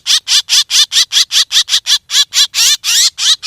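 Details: Black drongo calls played as a hunting lure: a fast series of harsh, buzzy notes, each with a wavering rising and falling tone, repeated about four times a second without a break.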